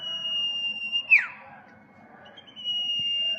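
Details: Common iora, locally called sirpu or cipou, holding a long, steady, high whistle for about a second that ends in a quick downward slur. After a short pause, another even, sustained whistle begins.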